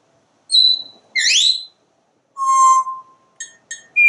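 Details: Pet parrot on a screened back porch, watching squirrels and birds, gives a run of clear whistles: a steady high note, a sweeping rising-falling slur, a long lower whistle, then short clipped chirps. A quiet indoor setting.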